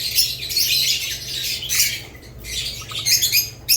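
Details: Budgerigars among lovebirds make loud, dense, high chattering with harsh squawks, falling quieter in the middle before building again and ending on a sharp chirp; a low hum sits underneath.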